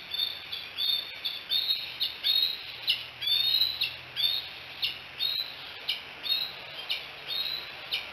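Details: Bald eagle at the Decorah nest camera on 5 July 2018, late morning, giving a rapid series of high, thin, chirping calls that sweep down sharply, repeated about twice a second.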